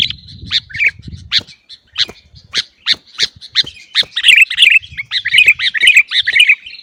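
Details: Sooty-headed bulbul recording used to train caged birds to sing: spaced sharp chip notes that build into a dense, excited chatter of bubbling twittered phrases over the second half.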